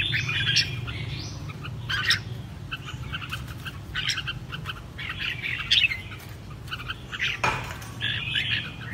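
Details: Caged red-whiskered bulbul giving competition-style song: short bright chirped and warbled phrases in quick bursts, some rising, separated by brief pauses, over a steady low hum and a faint thump near the end.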